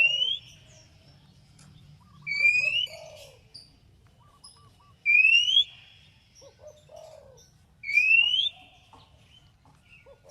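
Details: Repeated song of an Oriental magpie-robin (kacer), used to stimulate another bird to reply: bright upslurred whistles roughly every three seconds, interspersed with soft low chattering and faint high notes, over constant low hum.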